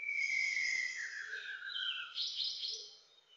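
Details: White-browed shama, a Philippine endemic resident of Greater Luzon: a soft, drawn-out whistle slides slowly downward, followed by a brighter, higher burst of rich warbled notes that fade out, heard quietly against a still background.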